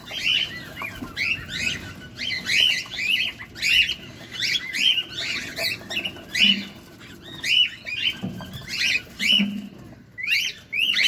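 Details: Cockatiel feeding, heard close up: a steady run of rapid, harmonic chirps repeated about once or twice a second for the whole stretch, with low soft rustling underneath.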